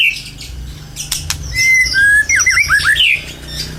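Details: Lure recording of an actively singing white-rumped shama meant to draw other birds into song: a few sharp clicks, then bright slurred whistles and rapid up-and-down looping notes, with a faint low hum beneath.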